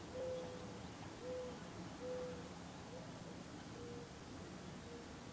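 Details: Gambel's quail hen gathering her chicks, Gold Canyon, Arizona, 20 May 2011: soft, low, short mellow notes repeated at uneven intervals, roughly once a second, over a steady background hiss.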